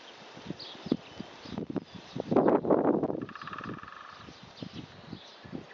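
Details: A great spotted woodpecker knocking, recorded from far off: scattered hollow taps at an uneven rhythm, with a louder rustling burst midway, a brief buzzy sound afterwards, and faint high chirps.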